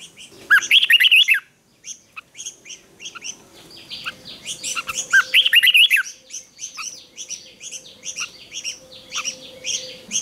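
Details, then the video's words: Morning fighting-song training of a red-whiskered bulbul: a loud warbled phrase, then a dense stretch of overlapping chirps and whistles, with another bright warbling phrase near the middle and a faint steady hum underneath. "Luyện chào mào hót sáng | chào mào hót đấu"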